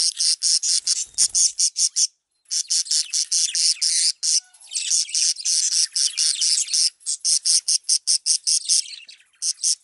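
A male budgerigar gives harsh, scratchy bursts in quick runs, several each second, broken by brief pauses, mixing angry chatter with high warbling song.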